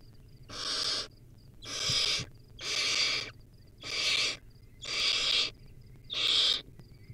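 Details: Wild barn owlet at a nest filmed by a live camera while feeding on a rodent: six harsh, broadband hissing screeches, each about half a second long, repeated roughly every second, with faint high ticking in the background.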